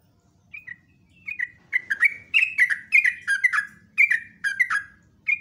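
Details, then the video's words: Sooty-headed bulbul, known locally as trucuk, singing a long, lively song: short slurred whistled phrases dropping in pitch, repeated roughly twice per second in loose bursts. "PANCINGAN TRUCUK STRES,ROPELAN TOP"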